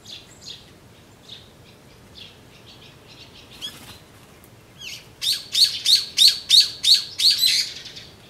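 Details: Brown-eared bulbul calling while drinking juice, recorded 26 April 2012: faint scattered high chirps at first, then a loud burst of about eight harsh, high, squeaky notes repeated rapidly, roughly three per second, before stopping abruptly.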